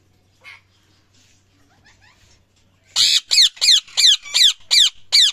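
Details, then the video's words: Ringneck parrot calling loudly: after a faint call and near silence, a rapid series of eight harsh, shrill, downslurred squawks about three per second in the final two seconds. "Parrot Loud sound | Parrot chirping sound | parrot voice | ringneck parrot"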